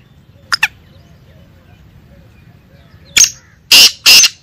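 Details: Female black francolin giving its excited call, known locally as kali madi masti awaz: two faint clicks, then three loud, harsh, rasping bursts in quick succession near the end, against quiet background.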